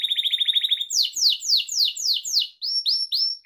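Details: Training song of a Gloster canary: a quick stuttering trill gives way to slow, loud descending sweeps about four per second, ending in short rising whistles.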